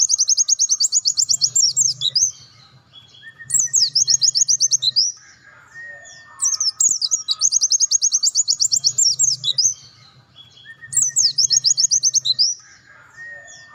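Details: A pleci dakun, or mountain white-eye, sings full 'nembak' as a tutor song. Four fast volleys of piercing, evenly spaced descending notes, each phrase roughly one and a half seconds long, come every few seconds. Softer thin tones and a low hum sit beneath.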